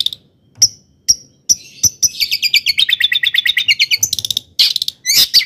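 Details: Long-tailed shrike song to provoke shrikes: spaced sharp chips, then a rapid warbling trill of many notes and harsh noisy bursts.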